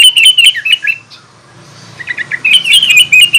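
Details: Sooty-headed bulbul giving spirited song intended to provoke rival bulbuls; quick chattering chirps open and close the clip around a second-long quiet gap, with a soft low rumble underneath.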